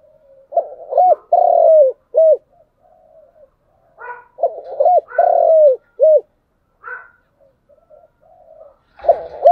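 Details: Repeated phrases from a spotted dove in chiêu and thúc style, low coos followed by a long drawn coo and a short final note, with quiet murmuring notes between phrases.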